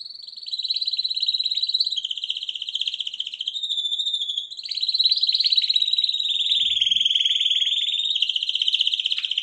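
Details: Champion canary song, 2021: long continuous rolling trills with fast pulses, wavering slightly in pitch, a brief dip mid-phrase then a louder rising roll, steady and unbroken for nine seconds, with a faint low thump.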